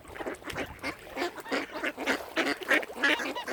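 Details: At Lough Neagh's Oxford Island Nature Reserve in County Armagh, Northern Ireland, mute swans give a fast run of nasal, honking notes, several per second and growing louder, with overlapping calls from nearby waterfowl.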